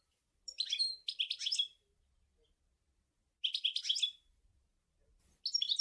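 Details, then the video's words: European goldfinch performing the sour el gouzlane song: clustered bursts of quick, tinkling chirps and twitters, two phrases close together, a pause, then further bright twittering phrases. "Chant Chardonneret sour el gouzlane"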